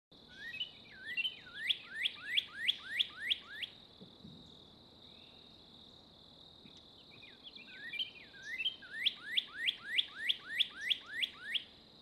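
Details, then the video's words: A male Northern Cardinal sings to his mate near a boardwalk trail at Corkscrew Swamp Sanctuary, Naples, Florida: two bursts of loud, clear, sharply down-slurred whistles, about three per second, over a steady high insect drone. "Hear the Northern Cardinal Song!"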